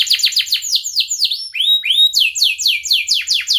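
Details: Canary song used to coach young canaries: quick repeated falling notes about four per second, a pair of pure rising whistles, then more sweeping descending notes.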